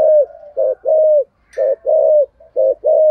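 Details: Spotted dove decoy giving 'thúc' and 'gù' calls in 'giọng thổ' voice: rhythmic low coos, a quick note then a sustained one, repeated; a short sharp higher sound interrupts once.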